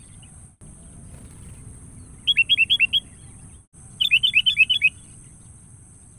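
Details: Sooty-headed bulbul calling a rival, used as a lure call: two bursts of about seven quick, bright, slurred chirps, one burst near the middle and another a second later, over low background rumble and a steady high hiss.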